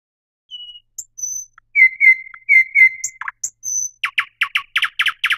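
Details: Thrush nightingale singing a varied phrase: thin high whistles, a run of repeated mid-pitched chirping notes, then a fast series of loud, sharp clicks, about four per second, in clean quiet surroundings.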